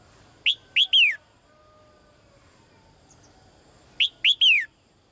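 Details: Female bird kept in a cage calls the male with two bursts of three clear, downslurred whistled chirps, the final note drawn out, spaced about three and a half seconds apart in a quiet room.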